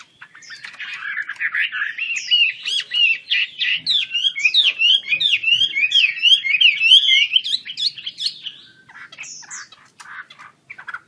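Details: Chinese hwamei, Wambi Kembang type, singing hard with open wings: a long, dense warbling run of twisting whistles and trills lasting around eight seconds before quieter scattered notes.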